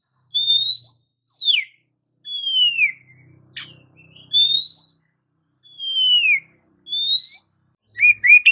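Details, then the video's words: Oriental magpie-robin song used to provoke other magpie-robins: clear, pure whistles, alternately rising and falling, spaced about one second apart, with a faint low hum in the background. "JENIS KICAU KACER TERAMPUH JADIKAN KACER AMAPAT LANGSUNG TERPIKAT EMOSI!"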